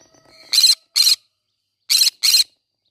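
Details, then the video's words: Green-cheeked conure in the middle of a flower garden giving four loud, harsh, rasping screeches in two quick pairs, each burst short and buzzy, with a faint steady high tone and soft chatter before them. "green cheek conure singing sounds"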